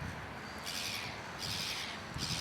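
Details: Indignant gull yelling at a white-faced heron that sits unbothered; two or three hoarse screaming bursts over steady background noise.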